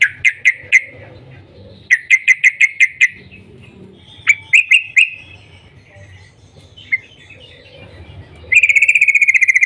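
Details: Morning calls of a yellow-vented bulbul, meant to set other bulbuls singing. Bright repeated 'cuk cuk' notes come in quick runs of four to six. A few scattered chirps follow, then a fast buzzy trill at the end, with a faint low hum underneath.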